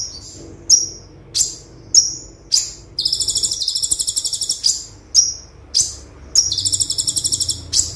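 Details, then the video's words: High, thin downslurred chips from an olive-backed sunbird singing tembakan style as a tutor recording, repeated about twice a second, interrupted by two fast rattling trill bursts; faint low hum. "Konin Tembakan Super Mewah - Konin Gacor Full Tembakan - Masteran Konin Gacor"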